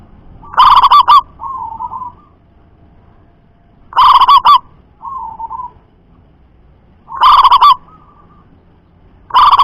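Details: Local zebra dove with a loud, far-carrying voice, a lure sound for training other doves to sing. Loud, distorted trilled coo bursts come every three seconds, each followed by a softer, lower rolling coo.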